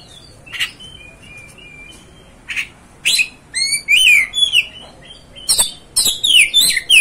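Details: Song of an Oriental magpie-robin meant to rouse a listening bird: soft thin whistles and scattered clicks at first, building into loud rapid sequences of varied, twisting whistled notes and harsh chips toward the end.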